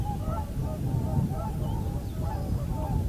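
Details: Common cranes at Heinä-Suvanto nature reserve, Viitasaari, on 26 April 2011: repeated bugling trumpet notes, several a second, ringing steadily over low wind noise.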